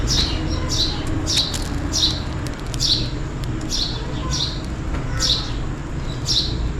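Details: Sparrow chirping on a rainy day while calling for food. Bright, downward-sliding chirps come in a quick, fairly regular series of about eight notes. A constant low rumble runs underneath.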